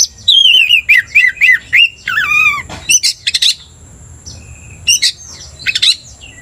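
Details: Oriental magpie-robin, a vigorous 'gacor' singer used to stir other magpie-robins to aggression: a fast run of repeated down-slurred whistles, a descending whistle, then scattered harsh chirps with pauses.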